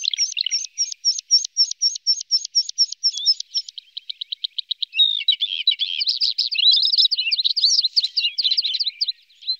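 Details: In Norway, a red-spotted bluethroat from a pair with young gives a high, ringing phrase: a dozen rapidly repeated bright notes, a quicker buzzy trill, then a tumbling, scratchy warble of varied chirps.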